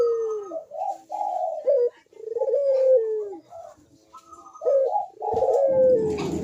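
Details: Cooing Barbary dove, played as a lure for reluctant doves: several drawn-out descending coos with short clipped notes between, ending under a burst of rustling noise.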